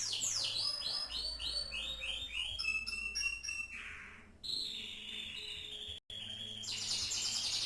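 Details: Canary imitating the style of a famous champion singer: swooping descending whistles, short clear tones and a buzzy rattle, a brief break, then a renewed high trill, with low hum beneath.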